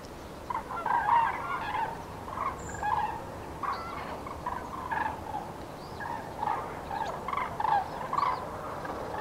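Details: Common cranes passing on their February 2017 spring migration in Nouvelle-Aquitaine, France, give a dense chorus of resonant, rolling bugles, many birds calling at once in steady overlapping waves.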